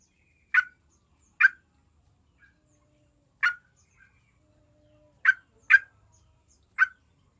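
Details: Yellow-vented bulbul song used as a lure so other bulbuls start singing quickly: six short, bright, burry chirps spaced irregularly across seven seconds, with a couple very close together near the end, and little background sound.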